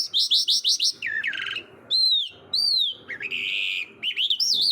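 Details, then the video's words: A songbird sings a varied, high phrase: a quick run of about six rising chirps, buzzy trills and clear arching whistles. "Mushadi Irani jal singing birds"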